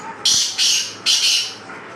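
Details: Black francolin call: three loud, harsh, grating bursts in quick succession, each a short rasping note, the second and third close together.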